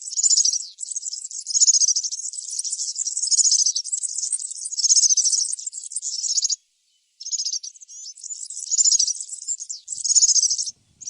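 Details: Wild European serin in full song, a long sizzling jangle of rapid high notes in bursts of about a second, broken by one short pause before the thin, tinkling trilling goes on.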